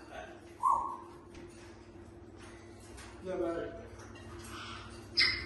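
Caique gives a few short, scattered squawks and one sharp, high squeak, with harsh chattering notes in between, in a quiet indoor room.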